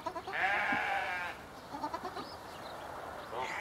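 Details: Swan goose in an open aviary, from a pair recently moved there, gives a long, rough, nasal honk near the start, followed by softer short notes and another honk beginning at the end.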